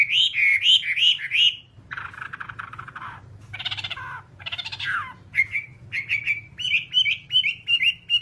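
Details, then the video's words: Whambie song played to train other songbirds: bright looping whistles, then harsher buzzy chattering bursts, then a string of clear repeated whistled notes about two or three per second. A faint low hum sits underneath. "Masteran Whambie nonstop 1 jam"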